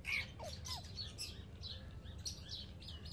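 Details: Baby Alexandrine parakeets, pets, chattering in quick overlapping squeaks and short rising and falling notes, with a loud squeak at the start, against a low hum.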